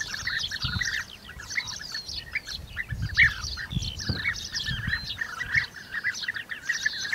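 A flock of European bee-eaters gives overlapping, liquid, rolling 'prruip' calls in a constant chatter, with a low rumble of wind beneath.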